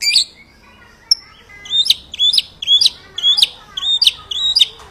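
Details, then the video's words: White-rumped shama master song for birds to copy: clear whistled notes with sharp upward flicks, repeated roughly twice a second, after a short high opening phrase. "Masteran murai batu ful tembakan kicau prestasi jernih mudah di tiru"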